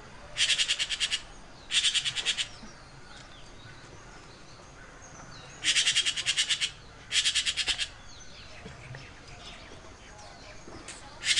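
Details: Red-billed blue magpie at home with its chicks, giving harsh, rasping, high chattered bursts, each under a second and mostly in pairs a second apart, over a quiet background.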